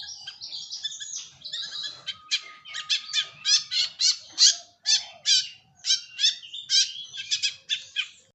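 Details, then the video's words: Long-tailed shrike in a lure recording for songbird keepers: varied chatter gives way to loud, evenly spaced harsh rasping notes, roughly one a second, with a faint steady low tone early on. "Pancingan Burung Cendet"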